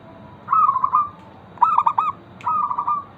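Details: Zebra dove of a local type in lively song meant to draw answering song from other zebra doves; three quick rolling coo phrases, each a soft trilled run of stuttering notes, close together against faint background noise.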